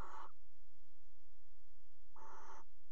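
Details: Barn owl at a nest box in a water tower, 5 February 2018, during pairing. Two short, harsh screeches about two seconds apart, each rasping and loud, with a strong tonal core.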